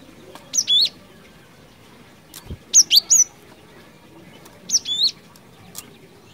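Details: Cinereous tit singing actively in the ngerol ngeplong style, recording used as a lure: three bursts of high, sharp whistled notes, each a quick falling then rising pair or triplet, spaced about two seconds apart over a quiet background.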